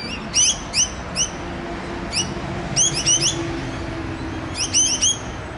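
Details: A rainbow lorikeet chatting to its companions on the Olinda Creek Trail, Montrose, Victoria, Australia, gives short, sharp, upward-sweeping notes, singly and in quick clusters of two to four, over a low background rumble.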